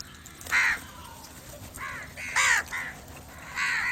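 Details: A handful of crow caws, five hoarse calls at uneven spacing, the first and fourth loudest, over quiet background.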